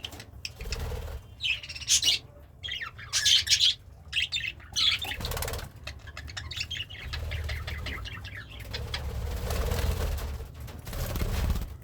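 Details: Pet budgerigar, happy and eating greens, producing several short buzzy chatter bursts early on, then quieter scratchy twittering over a steady low hum.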